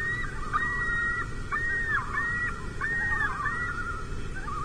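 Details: Common loon of a mated pair spooked by overflying bald eagles, leaving its nest and fourth egg on a small rocky island in Lake Vermilion, mid-July 2024; rapid arched, quavering notes repeated in quick laughing bursts over low rumble.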